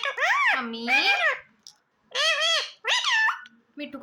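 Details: Pet rose-ringed parakeet talking indoors: rapid, nasal, speech-like phrases with rising and falling harmonic syllables in three bursts, separated by short pauses, ending with a brief low note.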